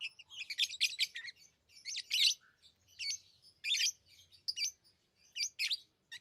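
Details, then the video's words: Pet lovebirds chirping indoors: bursts of shrill, high, squeaky chirps in rapid clusters, separated by short pauses, repeated roughly every second with no other sounds. "Love birds Sounds | lovebirds chirping sounds"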